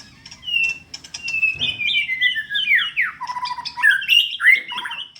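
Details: White-rumped shama, a contest-ready bird singing energetically: a rich, varied run of clear whistles, sliding and warbling notes that rise and fall rapidly, with a faint low hum beneath.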